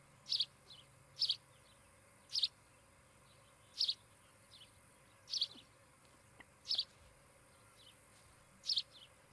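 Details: Nesting osprey pair in Charlo, Montana, on a nest cam during the afternoon of 16 July 2018, giving a series of seven high, piercing two-part chirps at uneven intervals of about one to two seconds over faint hum.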